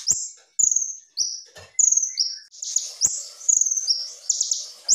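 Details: High, clear kolibri ninja song, full of rapid bursts and meant for training other birds: thin whistled notes that dip slightly, alternating with dense buzzy trills in quick succession, with little else audible.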